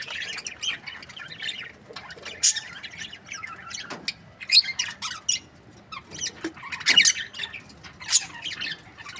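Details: Breeding pairs of budgerigars heard more quietly, with scattered sharp high chirps and clicks, short squeaks and soft background chatter, spaced irregularly.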